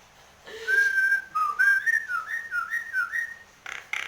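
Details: Nias hill myna in full song while nodding: a low, brief note, then a long, pure whistle followed by a quick run of stepped, rising and falling whistled notes about four per second, closing with two short harsh bursts.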